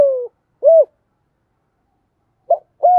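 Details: Spotted dove cooing to encourage other doves to coo: the tail of a falling coo and an arched coo, a long silence, then a short clipped note and a flat hollow coo.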